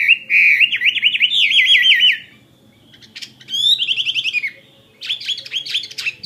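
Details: Chinese hwamei (họa mi chiến, a fighting-type caged bird) sings rich, rapidly wavering whistled phrases in three bursts separated by short pauses, each a fast looping trill, over faint low hum.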